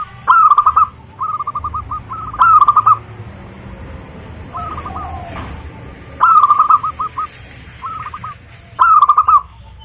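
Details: Local zebra dove in song, played to lure others of its kind into singing: rolling, stuttering coo phrases in bursts every two to three seconds, some louder, some softer, over steady low background noise.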